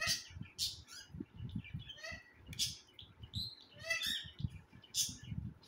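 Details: Baby cockatiels (Nymphicus hollandicus) give harsh, raspy calls in quick repeated bursts over low thumping sounds.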